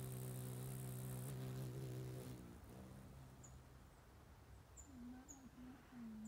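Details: An adult male Ruby-throated Hummingbird visits close by for a sip, and its wings give a loud, steady, low buzzing hum for about two seconds, then cut off. Faint high squeaks and a wavering low tone follow.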